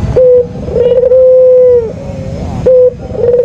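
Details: White Barbary dove lure call: one brief note, a quick vibrating trill, then a drawn-out smooth coo that fades and drops, and the sequence starts again.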